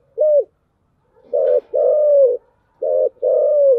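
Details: Cooing spotted dove in the thổ voice, chiêu gù style: a single short coo, then two pairs of a brief note and a longer, slightly falling coo, low and mellow, with no other sounds.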